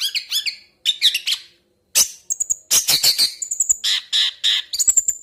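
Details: Long-tailed shrike singing a varied medley of harsh chatter, rapid clicks and thin high whistles, dense and continuous with brief pauses.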